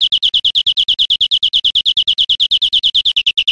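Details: European Greenfinch singing in Spain in 2013, a very fast, even series of buzzy chirps centred high, repeated about three times per second without pause.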